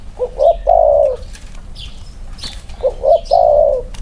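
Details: Spotted dove males compared side by side, one wing-clipped. Two matching phrases of two short rising notes and a long falling hoarse coo, separated by about two seconds of quiet.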